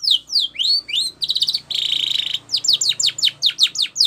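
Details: Canary sings a training song with slurred whistles, a buzzy trill, a sustained rolled phrase, then evenly spaced descending notes repeated about four times a second.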